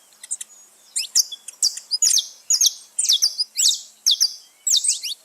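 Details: Free-flying saffron finches flocking in nature: faint scattered notes at first, then clear paired high chirps repeating about twice a second from several birds against a quiet background.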